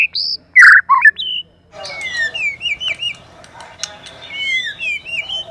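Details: Female white-rumped shama used as a lure: loud harsh chacks and high whistles up front, then softer wavering whistles over a noisy background.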